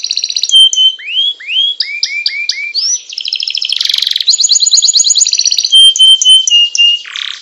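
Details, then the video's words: Canary singing a varied long rolling training song: pure steady whistles, rising slurred notes, a quick series of short lower notes, buzzy trills, and a final low swooping note. "masteran suara burung kenari gacor"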